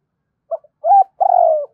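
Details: Spotted dove used as a lure bird giving a coo phrase: a faint short note, a rising bent coo, then a long smooth falling coo, mellow and low.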